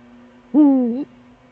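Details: Eurasian eagle-owl duet in the Eifel, Germany, at 17:25 on 13 December 2013, with the male at the nest. One deep, half-second hoot dips slightly then lifts at the end, over a low steady hum.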